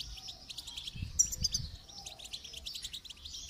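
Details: Goldfinch song for training: continuous fast, high twittering with a few piercing notes and faint low rumble in the background.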